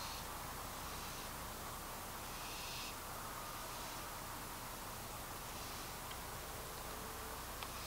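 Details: Young wild barn owl that dropped onto the ground at night and walked around, giving hoarse, hissing screeches in short bursts, several in a row at uneven gaps, over a steady wash of background noise.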